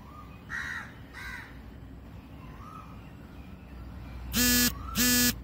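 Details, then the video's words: At 6:03 am, a crow gives two loud, harsh caws about half a second apart, after fainter distant calls and soft whistles from other birds, possibly including a cuckoo, over a windy hiss; Crow. "Crow & Birds Chirping Sounds"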